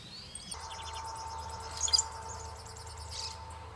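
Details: Shiny cowbird singing in southern-hemisphere spring at the start of the breeding season: a squeaky, high-pitched chirring song of rapid notes ending in a loud whistle, over a steady droning hum.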